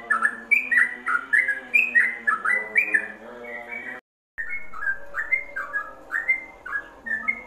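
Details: Ropelan-style yellow-vented bulbul song for songbird tutoring: lively run of gurgling, rising and falling whistled notes, briefly cut off partway, then resuming with similar bubbly phrases over faint droning tones.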